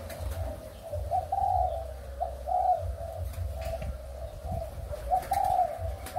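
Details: Breeding spotted doves of Malaysian and Thai stock, 23 August 2021: repeated mellow coos, each phrase lifting briefly to a higher note, several in a row with short gaps, against a constant low rumble.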